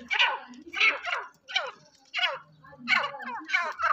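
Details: Sindhi black francolin, a tame and fearless bird, gives rapid harsh, rasping notes in clusters, some doubled, with brief pauses between runs in a small indoor space.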